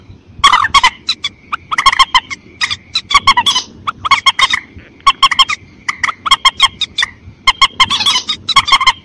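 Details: White-breasted waterhen call used to lure birds for hunting in rice fields: dense, continuous run of loud clipped notes and harsh squawks over a faint sustained tone, with low background noise.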